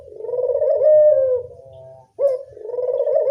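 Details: Barbary dove, local bird, cooing as a lure to draw in other doves: a long rolling coo with a drawn-out fading tail, a brief silence, then the next coo rising again.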